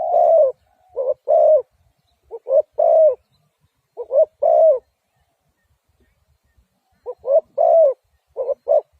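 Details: Spotted dove calling in a quiet setting: low, mellow coos in phrases of one or two short notes followed by a longer, fuller coo, repeated with irregular pauses, about five phrases, and no other notable sounds.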